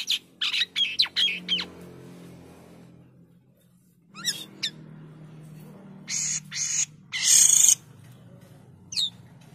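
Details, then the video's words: An Indonesian white-headed starling delivers a broken song: quick sharp clicks and whistles, a pause, then scattered loud harsh bursts and a short rising whistle, with a steady low hum beneath. "JALAK KAPAS GACORR meliuk liuk suara indah penuh materi"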